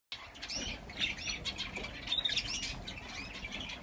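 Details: A nesting female star finch sitting on unhatched eggs; thin, high chirps and short arched notes in quick, overlapping bursts, with faint background hiss.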